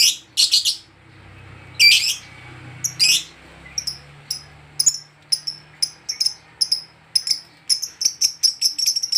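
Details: Agitated lovebird meeting another of its kind gives piercing high chirps, first in a few harsh bursts, then speeding into a fast run of short, clipped notes, over a faint low hum.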